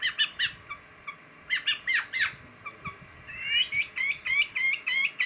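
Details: Long-tailed shrike (pentet) in chattering song: clipped sharp notes in small clusters, then a run of rising whistled strokes repeated about four times a second, with a quiet background hiss.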